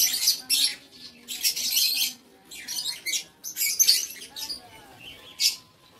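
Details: Aviary lovebirds, recorded 7 April 2023, uttering bursts of shrill, raspy chatter. Longer screechy runs alternate with brief pauses over about six seconds.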